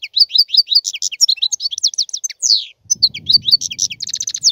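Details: Continuous European goldfinch song: lively, liquid twittering of varied high notes in rapid succession, with a slurred downward note midway and a buzzy trill at the close. A faint low rumble joins partway through.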